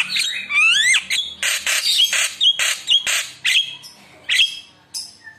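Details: A Javan myna's chatty lure song, loaded with isian phrases to prompt other mynas, opens with sweeping rising whistles, then loud grating squawks at roughly half-second intervals before trailing off.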